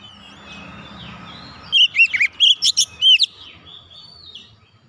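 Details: Kacer, the oriental magpie-robin, sings gacor to get a silent bird singing again: after soft background chirping, a loud burst of about seven quick, sharply inflected whistles lasts roughly a second and a half before fading to faint twitters.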